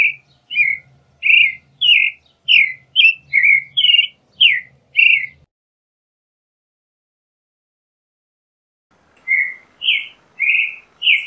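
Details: Lively song of the creamy-bellied thrush: a dense run of about eleven short whistled and warbled phrases, some rising, some falling, then a long silence before four more notes, with a soft low hum under the first run.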